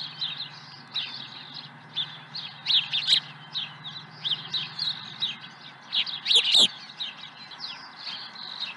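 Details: Early fish delivered to the osprey nest at Dunrovin Ranch, 30 April 2020 around 07:00: repeated high chirps in loose series, a louder excited flurry near the end, with some knocking sounds and a low hum.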